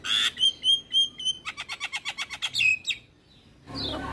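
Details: Male Javan myna, a kept bird in active song with head-bobbing, gives a few clear level whistles, then a quick even series of rasping strokes and a downslurred whistle, before background noise.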